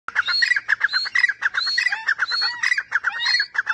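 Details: Grey francolin calling, one of three kinds of sound given: rapid harsh, squeaky notes repeated several times a second in a dense, unbroken run, with higher ringing overtones above.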